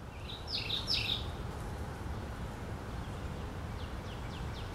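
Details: Mourning warbler (Geothlypis philadelphia) singing unseen in Hudson, Summit County, on 25 May 2019: one quick, rich, rolling phrase of slurred notes, then faint high ticks over a steady low rumble of wind or distant traffic.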